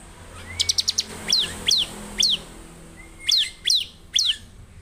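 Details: Bar-winged prinia song: a quick burst of four sharp high ticks, then loud downward-slurred chirps repeated about every half second, with a thin steady whistle in the background.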